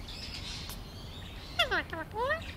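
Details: Pet Alexandrine parakeet chatting during a conversation with a man: quick descending harmonic note, a short blip, then an upward-sweeping phrase, after a quiet stretch.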